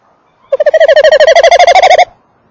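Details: Evening recording from beside a tawny owl nest box, December 2013: the male gives a rapid series of about twenty even pulses, forming a throbbing trill of roughly one and a half seconds, then silence.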